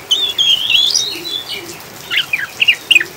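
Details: Oriental magpie-robin, 'ngriwik' chattering style, played over rain as a lure to steady caged birds and prompt singing: a long rising whistled slur, a pause, then quick clipped twittering notes, over low steady hiss.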